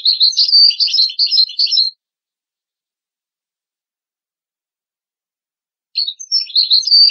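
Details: European goldfinch song used for tutoring young goldfinch and hybrid chicks: about two seconds of quick, high, tinkling twitters and liquid chirps, then four seconds of silence before the bird resumes its twittering phrase against a clean, quiet background.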